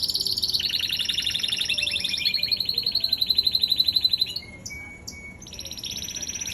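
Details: Singing canary delivering a run of rapid trills that step down in pitch, followed by a few sharp high notes and a brief buzzy phrase.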